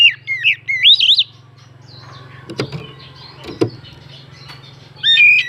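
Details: Oriental magpie-robin lure song meant to rouse other birds' emotions: a burst of rich, varied whistled phrases, then a quiet stretch with a steady low hum and a few sharp knocks, before the whistling resumes at the end.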